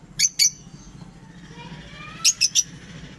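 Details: Lovebird pairs: two shrill, sharp squawks near the start, then a quick run of three similar harsh bursts about two seconds later, with a faint low hum between calls.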